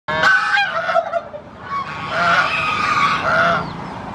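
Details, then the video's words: Goose screaming after watching strangers, giving loud harsh honking calls in two long bursts with a short quieter gap between them, rich nasal tones throughout. "Beautiful Goose Screaming after watching strangers"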